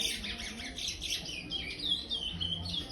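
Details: Young chestnut-bellied seed finch (curió), a five-month-old brown-plumaged bird raised in an aviary, singing in the praia style: a continuous flow of clear, high whistled notes sliding up and down, with a faint low hum beneath.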